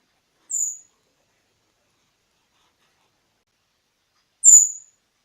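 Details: Siberian thrush, a lure recording for young caught birds to make them answer, gives two thin, very high whistled notes, each falling slightly and under half a second long, about four seconds apart, with silence between.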